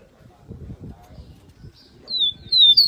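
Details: Double-collared seedeater (coleiro paulista) in the tui-tui song style: after two quiet seconds of low background rumble, a short run of three clear, high, downslurred whistles closes the recording.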